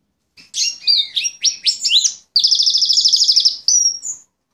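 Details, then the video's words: Male pet Fife Fancy canary in full song: varied high sweeping notes tumble quickly, then a long, even, rapidly pulsed trill, ending with a rising whistle. "Singing canary"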